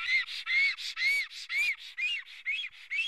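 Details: Black stork at its nest in Karula, Estonia, recorded by a nest camera on 19 May 2017 at 11:10. The bird is upset by an intruder near the nest just before hatching. Arched whistled notes repeat about twice per second.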